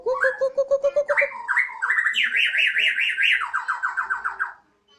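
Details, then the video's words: Home-kept Bornean White-rumped shama, the murai odong-odong, pouring out siren-like song on a terrace: even repeated low notes climb into a rapid, rolling series of up-and-down wavering whistles that falls to a lower pitch before stopping. "Murai odong-odong (BORNEO) dengan penuh semangat si Burung berkicau layaknya suara sirine"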